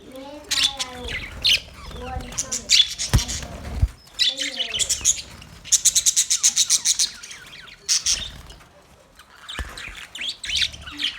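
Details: Male budgerigars chirping in short bursts of high, scratchy chirps and quick rapid-fire ticking runs, with lower voice-like sounds mixed in.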